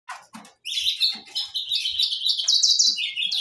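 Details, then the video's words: Saffron finches singing: after two short soft bursts, a continuous bright run of chirps and quick slurred notes pours out, high-pitched and lively, with a few faint low knocks underneath. "gorriones pecho amarillo cantando"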